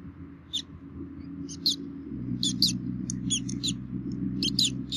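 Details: Bald eagles feeding chicks at a Minnesota nest, 3 May 2016, late morning; thin high chirps roughly once a second, becoming busier toward the end, over rising low rustling and wind-like rumble.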